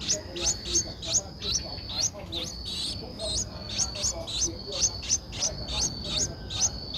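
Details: Streak-eared Bulbul chick aged 11 days, Ubon Ratchathani, Thailand, 13 April 2023: insistent high, squeaky chirps repeated roughly twice a second in a continuous series, each note sliding downward, above a steady thin whine.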